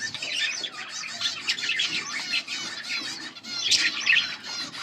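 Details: A pet pair of budgerigars, Australian parrots, chattering busily: dense, continuous warbling with scratchy chirps and fast twittering notes, rising to a louder squawky burst near the end.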